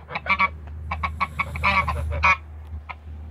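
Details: Two Toulouse geese kept in a backyard, sounding off in short clusters of nasal honks separated by brief gaps, over a constant low mechanical hum.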